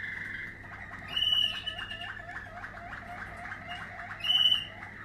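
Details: Waterslager canary, 2020 line, singing a steady bubbling, rolling trill with two bright high whistled notes laid over it, a low hum in the background.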